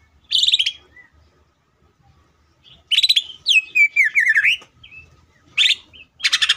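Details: Greater green leafbird singing energetically to draw song from other leafbirds, with a bright whistled phrase, a pause, then a varied run of slurred, warbling notes and a closing burst of chattering.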